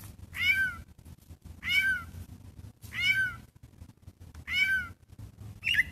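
Gray catbird giving nasal, cat-like mews, each short and slurred, repeated about every second and a half, over a faint low background rumble.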